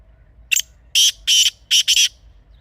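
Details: A kala teetar, the black francolin, gives a loud grating call: one brief sharp note followed by four rough, broad, buzzy notes with short gaps between them, over soft background hum.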